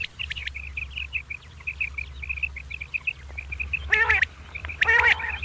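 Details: Common quail in the morning: a long run of quick high liquid notes in clusters, broken by two harsh, buzzy nasal bursts near the end, low hum behind.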